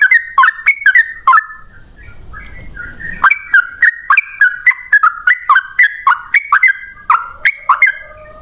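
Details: Sooty-headed bulbul song used as a lure to make other birds answer: rapid bubbly chirps around the mid range, each with a sharp high click, repeated about three to four per second, with a brief gap of low rumble.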